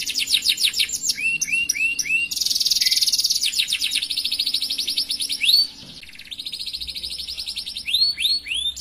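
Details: Long canary song in the 'cengkok mewah' style, varied throughout: sharp chirp series, rising looped whistles, a dense buzzing roll, steady rattling trills, and a short pause before swooping notes resume.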